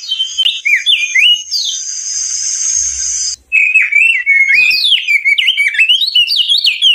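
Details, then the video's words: Crested white-eye song: bright, bouncing whistled phrases, a steady high hiss for about two seconds, a brief break, then rapid, tumbling warbled notes to the end. "kicau burung opior jambul"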